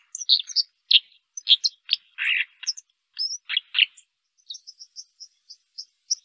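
A white-throated dipper sings a fast, scratchy jumble of high warbles and buzzy notes, ending in a string of thin, evenly spaced whistles.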